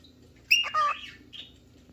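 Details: A cockatiel, looking for a playmate or partner, gives a loud descending two-part call, then a softer brief chirp about half a second later.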